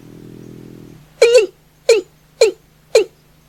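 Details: Watercock at night: a buzzy low drone fades out, then a drawn-out double note followed by three hollow, falling knocks about half a second apart, each slightly wavering.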